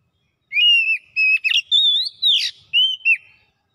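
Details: Kacer (Oriental magpie-robin) in its gacor song, showing off its repertoire. Pure whistled notes alternate with a brief scratchy buzz and rising slurs, about seven phrases in under three seconds.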